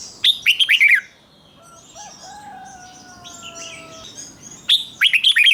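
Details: Red-whiskered bulbul kept in a cage, singing a doubled phrase for young birds to imitate: quick cascading whistled notes open and close the recording, with a long, thin, steady whistle from another bird in the middle.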